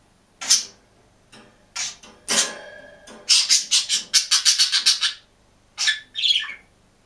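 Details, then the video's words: Single budgerigar in a cage, singing and chirping: scattered high chirps and scratchy notes, then a fast run of about a dozen clipped chattering notes, ending with two squeaky upward-bending chirps. "МИЛЫЙ И ЗАБАВНЫЙ ПОПУГАЙ ПОЕТ И ЧИРИКАЕТ/ОДИН В КЛЕТКЕ"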